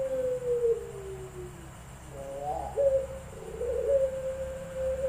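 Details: Contest puter pelung (Barbary dove) singing at an online competition in Semarang, Central Java, 7 August 2021: a long falling coo fades out, then after a pause come stuttering rising notes that settle into another steady, sustained coo, with faint background hum.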